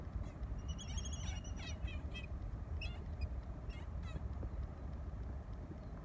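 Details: On 20 December 2017, two Laysan albatross mates reunite at their nest after one returns from weeks at sea, exchanging short nasal honks and squeaky whistled notes in loose bursts over a heavy, steady wind rumble.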